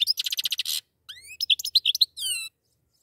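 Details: A pair of goldfinches singing: a rapid run of bright, buzzy notes, then sweeping whistled slurs and sharp high chirps in quick succession, ending on a drawn-out nasal tone.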